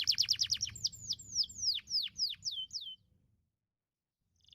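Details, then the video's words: Canary song played to train canaries: rapid chirps followed by slower, drawn-out falling whistles, then about a second and a half of silence before a faint restart. "Terapi Burung Kenari Agar Cepat Gacor Ngedurrr"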